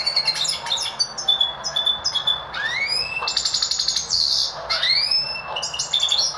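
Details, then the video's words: Goldfinch mule bred from a goldfinch crossed with a Lizard canary gives a close, energetic song mixing rapid twittering trills with several clear rising whistled sweeps. "Goldfinch Mule | hasil silang goldfinch x Lizard"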